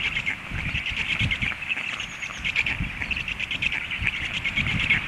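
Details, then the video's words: Stork nestlings, hungry, begging once the adult has flown away. Continuous shrill, pulsing twitter with brief louder bursts, and some low rumbling wind beneath. "storklets hungry"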